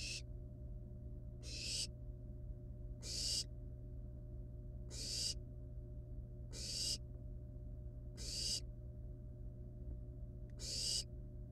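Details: At a wild barn owl nest, chicks handle a live rat delivered as prey; a series of seven harsh, breathy hissing screeches, roughly every one and a half seconds, over a steady electrical hum.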